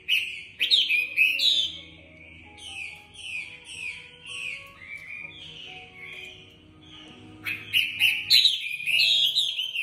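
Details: Caged Chinese hwamei in Hanoi, Vietnam, pours out loud, rich whistled phrases in rapid, varied bursts, pausing mid-clip before resuming strongly; a faint low hum runs underneath.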